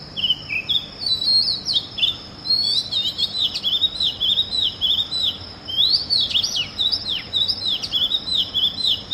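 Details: Early-morning Oriental magpie-robin song, a varied stream of sweet whistled notes, slurs and quick up-and-down flourishes repeated in short phrases, over a steady background hiss of insects.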